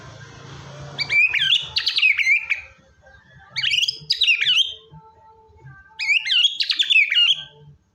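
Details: Energetic white-rumped shama song for getting a reluctant bird to sing: three bursts of fast, warbling, looping whistles, each about a second and a half, with quiet spaces between them.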